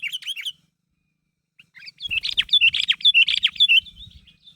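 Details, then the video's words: Lively sooty-headed bulbul calling to draw a response from others: a short bubbly phrase, a silent gap, then a dense jumble of sharp chirping notes over a faint low rumble. "Suara Burung Kutilang Gacor Memanggil Temannya Agar Bunyi"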